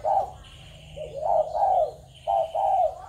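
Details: Spotted doves from Malaysia, Thailand and Cambodia, 21 November 2022. Short bursts of rough, downward-curving coos in twos and threes, with a faint high steady whistle between them.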